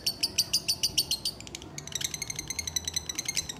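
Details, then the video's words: Lovebird being held, calling in fast, high, buzzy pulses, about three to four per second, then switching to a denser, quicker rattling chatter, with a faint low hum indoors. "NGUDANG LOVEBIRD SAMBIL DI GENDONG"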